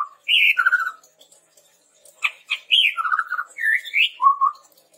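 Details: Chestnut-rumped babbler singing lively, recorded as a lure for training other birds: a short low whistle, then bright rising whistled phrases, fluttering mid-pitched trills and a falling low whistle, with brief pauses between bursts.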